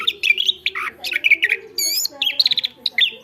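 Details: Energetic song of a chestnut-backed thrush, recorded as a tutor song for other cage birds: fast clear whistles and warbled phrases, a bright trilled burst in the middle, then quick high notes.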